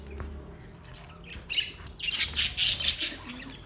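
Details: Budgerigars in relaxing song: soft scattered chirps, then from the second half a loud, continuous run of harsh buzzy chatter.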